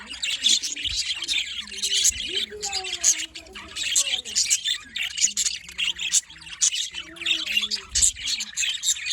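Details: Budgerigars chirp through the morning in a constant rasping, twittering chatter that swells and fades every second or so, with some low swooping tones.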